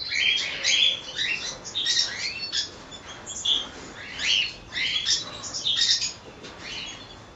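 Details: Cockatiel colony, many birds calling together: dense overlapping chirps and short rising whistled notes, high-pitched, coming in bursts about every second with brief quieter gaps.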